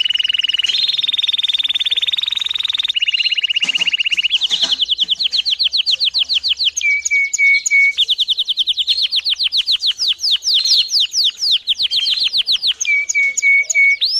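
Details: Canary song meant to train young birds: a long, varied run of rapid, ringing note series, steady high trills alternating with quick bouncing rolls and short lower whistled holds.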